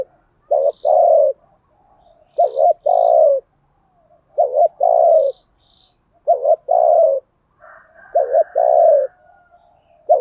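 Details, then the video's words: Captive spotted dove used as a lure for wild doves, giving a steady series of low coo phrases: two quick clipped notes then a longer falling coo, repeated roughly every two seconds, faint thin chirps above. "chim cu mồi thúc gù bài bản nhất hiện nay, chim cu gáy kích bổi hiệu quả nhất hiện nay"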